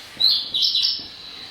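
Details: Common reed bunting (Emberiza schoeniclus) summer song near a reserve, with black-headed gulls in the background: a brief, simple phrase of a few high, thin, slightly buzzy, unhurried notes.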